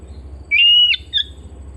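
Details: Oriental magpie-robin kept at home: a long, level pure whistle is followed by a short, quieter, higher note, with steady low background hum.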